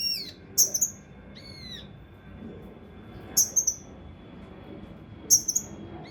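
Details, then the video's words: Mountain leaf warbler, used for training competition birds, uttering piercing high doubled chips about every two seconds, with a few thin falling whistles early on. "TEMBAKAN KASAR RAPAT UNIK | SUARA CUCAK RANTE MAS UNTUK MASTERAN BURUNG LOMBA"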